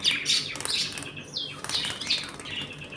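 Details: Pet budgies in a home flock, eating and playing, chatter with high warbled chirps and a falling whistled sweep, overlapping calls running almost without pause.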